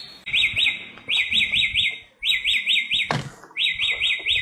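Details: Wild samyong (bare-throated whistler) singing outdoors: bursts of four to five rapid, looping whistled notes, each rising then dropping, repeated about once a second with brief pauses; a single sharp click sounds near the end.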